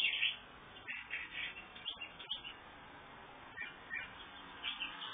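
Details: Red-headed house finch feeding its babies; high, thin chirps come in short bursts, clustered near the start and the end with quieter gaps between, over a muffled, narrow-band background.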